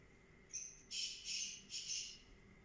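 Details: Black francolin (kala teetar) in a grating call: a drawn-out thin high note, then three harsh, buzzy, rasping bursts in steady rhythm, with a faint constant tone and low hum behind.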